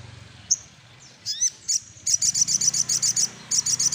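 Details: Little spiderhunter singing while seeking a rival: a few sharp high chips, then a fast run of buzzy high notes repeated about four per second with short breaks.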